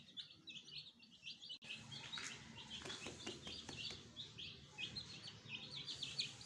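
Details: Pet chicken chicks, newly added with a hen, peep shrilly and continuously; short high notes pile up while a brief sharp knock and some rustling clatter cut through in the middle.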